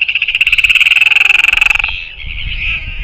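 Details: Royal albatross chick fed by a parent, New Zealand nest camera, 7 February 2024, 5:41 pm: a fast, loud stuttering rattle of pulses for nearly two seconds, then a softer wavering tone.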